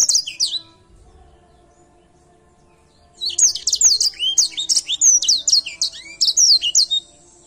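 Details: Canary singing vigorously: a short burst of high, sweeping chirps, then about three seconds of quiet before a rapid run of bright, varied whistles and trills that continues to the end, with faint low hum behind.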